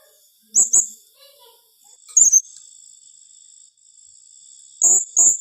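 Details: Blue-crowned hanging parrot in 'tembakan rapat' calling: piercing high paired squeaks at the start and end, a single note between, over a continuous thin high-pitched whine.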